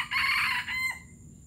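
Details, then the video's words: Palembang junglefowl crow labelled gerabas: a loud, raspy sustained section trailing into a thinner, fading tail, with quiet low-frequency background noise throughout. "Ayam hutan palembang gerabas gerabas"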